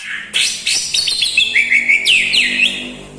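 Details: Short burst of white-rumped shama song with mimicry of lovebird, kapas tembak and cucak jenggot. Sharp chips lead into a warbled, rising and falling whistled run.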